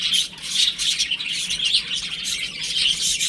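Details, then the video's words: Baby chicks at home keep up loud, high peeping, a mix of shrill chirps and a few rougher squawk-like notes, crowded and continuous. "Cute Baby Chicken Chirping Sounds | Beautiful Chicks Playing @ Home"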